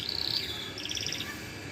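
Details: Singing yellow canary giving a brief high trill, then a quicker run of sharp chirped pulses that fade out.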